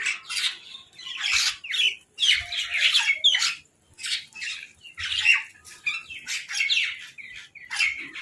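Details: Crows quarrel over food in a dense run of loud, rasping squawks that overlap almost without a break, with brief pauses after a few seconds.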